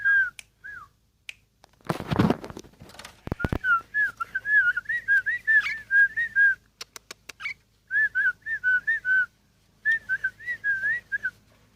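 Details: Sooty-headed bulbul, a ten-year-old bird owned by a friend, giving bright whistled notes in short repeated bursts of two to four notes, with a few sharp clicks and a brief rustling noise between phrases.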